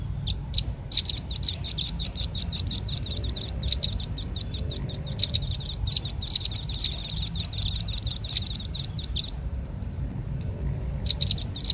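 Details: Red-billed leiothrix lure call: a couple of lone high chirps build into a long, dense, fast chatter of sharp bright notes lasting about eight seconds. Near silence follows, then a final short burst of chirps.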